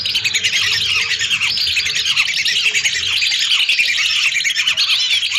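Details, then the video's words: A massed flock of hundreds of lesser whistling ducks, recorded for luring, gives a steady, seamless chorus of shrill whistles, so many overlapping that single calls blur together. "Suara burung Belibis RATUSAN untuk pikat"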